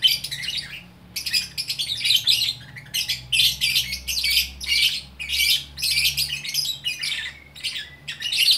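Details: Singing lovebird from Bukittinggi, West Sumatra, in gacor style: continuous shrill twittering and raspy squeaks in closely packed bursts roughly every half second, with a faint low hum behind.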